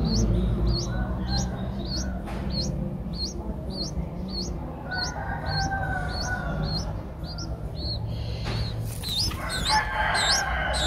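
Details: Eight-day-old Streak-eared Bulbul nestlings in Ubon Ratchathani, Thailand, April 2023. They keep up a brisk string of high rising chirps, with distant rooster crowing and clucking and a burst of louder calling near the end.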